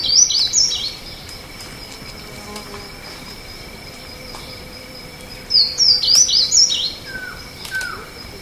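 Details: Slate-blue seedeater singing two separate bursts of rapid, high zigzagging whistled notes about five seconds apart, the second followed by a couple of softer lower slurred notes, over a steady high insect-like drone.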